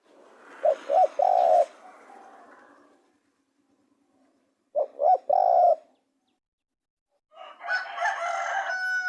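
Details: Spotted dove, two cooing phrases of quick short notes and a sustained coo, with a hissy background at first and a noisy burst of sound near the end.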